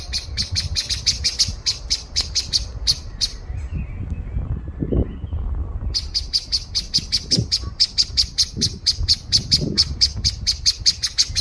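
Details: Common blackbird (Turdus merula) beeping call: sharp, high notes about four a second in long runs broken by a brief pause, over low background rumble.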